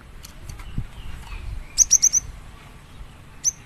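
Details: Cinereous tit (gelatik batu) giving a quick series of four clear, high, piercing whistled notes, followed after a pause by one more single note. Faint chips and low rumble are heard in the background.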